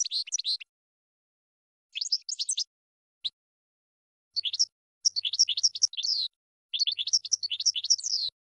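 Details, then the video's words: European goldfinch training song for cage birds, played to teach captive birds: bursts of rapid, twittering high notes with quick liquid trills, delivered in short phrases of under a second, then longer runs toward the end, separated by brief silences; no other sounds. "Chardonneret 12h Goldfinch (Training Song)"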